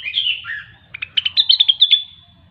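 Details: Rengganis or cucak wilis, the grey-cheeked bulbul, singing gacor: a slurred falling warble followed by a quick series of bright, clipped notes in an accelerating chattering run.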